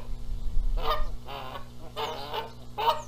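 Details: Canada geese contesting who incubates the eggs at Rogers Place, Charlo, Montana; a low rumbling thump, then four rough, nasal honks in quick succession.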